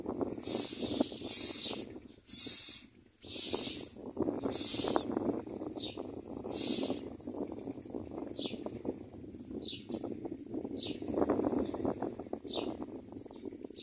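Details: Common myna chick being fed by a parent: loud hissing, rasping bursts repeated about once a second for five seconds, then softer scattered hisses, over steady low rumbling background noise.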